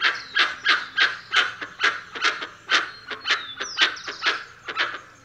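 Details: Dusky-legged guan giving a steady sequence of coarse, honking barks, about three per second, while a bird's thin descending whistles sound faintly behind.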